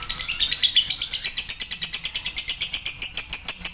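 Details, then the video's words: Male lovebird giving a long chattering song: rapid, evenly spaced high chirps, about eight per second, running steadily without a break. "love bird jantan durasi"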